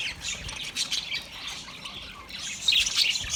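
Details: Budgerigar calls from 29 February 2024: rapid, harsh, high squawks and chirps run together in a busy stream and grow louder at the end.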